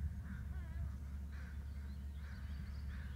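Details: Two adult bald eagles exchanging calls, a few short grating squeals with faint high chittering above, set against a steady deep background rumble.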